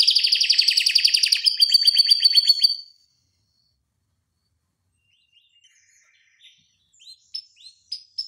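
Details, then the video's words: Singing canary, used as a tutor recording, giving a fast, tight rolling trill for about three seconds that ends in a thin whistle. After a near-silent pause, faint high upswept notes come back. "Kenari Masteran Suara Gacor Ngeroll Panjang Untuk Pancingan Maupun Masteran"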